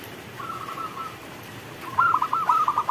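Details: Local zebra dove in the rain: a faint drawn-out coo, a pause, then a loud stuttering series of quick rolled notes, with rain hissing throughout.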